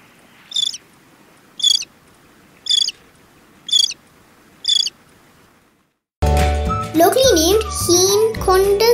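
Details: Lesser crested tern, a coastal bird of beaches and estuaries in Sri Lanka, gives five harsh, grating calls, about one a second, over faint background noise; the last few seconds turn to loud music.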